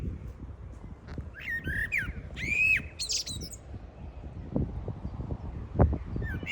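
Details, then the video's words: Birds chirping in spring: a burst of harsh, arched, squawky calls with rising and falling notes crowds the first three and a half seconds, then fades into low rumbling background noise with scattered knocks and thumps. "Birds chirping sound in spring"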